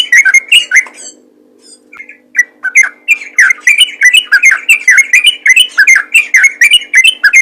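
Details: Ropel song of a yellow-vented bulbul (trucukan), played to prompt other bulbuls to sing. A few chirps, a quiet gap, then a long stream of quick, bubbling, slightly buzzy notes repeated several times a second.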